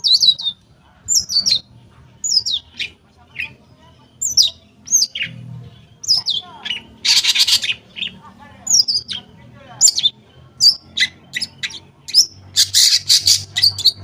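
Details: Lure recording of a long-tailed shrike meant to make silent shrikes sing: a long sequence of sharp slurred whistles and chips repeated about every half second, broken by loud harsh grating bursts.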